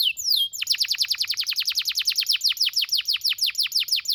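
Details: Young-canary training song from a domestic canary: a short rising whistle opens a steady rapid roll of sharp down-slurred notes, about eight per second, bright and high, continuing unbroken.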